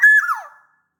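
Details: Black-naped oriole of the large-bodied Sumbawa type, a singing bird kept to prompt lazy orioles to sing: one loud fluted whistle that slides down and fades within about half a second.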